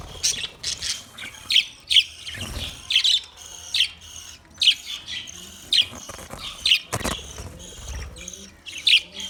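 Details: Budgerigar giving sharp, high chirps and short squawky notes, spaced about every half second to one second, with soft chatter between.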